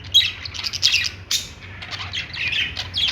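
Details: Budgerigars making happy sounds: dense, continuous high chattering and squawky chirps from several birds, overlapping without pause.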